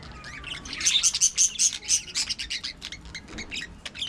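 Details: Aviary colony of budgerigars chattering: rapid bright chirps repeated several times a second, with a short run of sharp, evenly spaced high ticks in the middle and lively twittering throughout.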